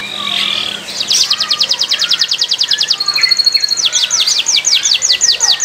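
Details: Canary on a Friday morning giving a fast even trill of short notes, a thin buzzy phrase, then rapid steep descending whistles over a hissy background.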